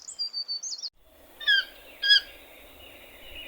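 A toucan gives two loud, harsh yelping calls about half a second apart. Thin, high whistles from another bird come just before them.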